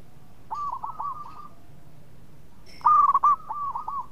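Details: Local zebra dove (perkutut) singing actively: a quieter run of bouncing coos, a pause, then a loud, near burst of clipped coos flowing into rapid rolling notes.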